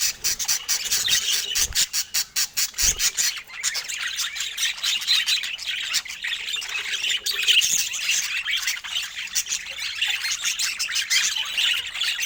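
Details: Budgerigars kept as pets chattering: a run of fast ticking clicks gives way to continuous high warbling chatter with squawky, squeaky notes.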